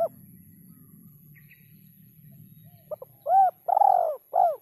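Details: Spotted dove calling kuk 3: near silence except a low hum, then two quick clipped notes, a rising coo, a long falling coo and a final short coo.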